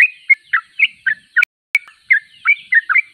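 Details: Sooty-headed bulbul giving brisk, bubbly song notes in quick succession, interrupted by two loud sharp clicks halfway through.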